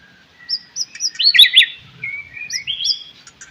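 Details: White-rumped shama singing in the morning as a lure to prompt other shamas into song: clear slurred whistles, a loud burst of rising and falling notes in the middle, then more sweet whistled phrases.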